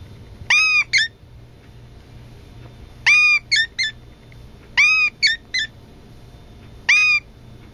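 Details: A rescued, injured brown-eared bulbul kept beside a Nanakusa parakeet mimics the parakeet's words ("Mē-chan") in four bursts of one to three rich, arched, nasal notes every second or two against a quiet background; the very first sound is a human voice.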